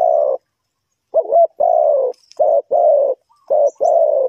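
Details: Spotted dove cooing, used as a lure for trapping wild birds in Ninh Thuận. Low, hollow coos come in short bursts, some notes paired or clipped, with gaps of up to a second and faint high chirps in the background.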